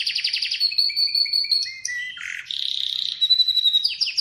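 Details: Atlantic canary song with a quick trill opening into level whistled notes, a buzzy dip, a steady rapid roll and sharp rising chips at the end.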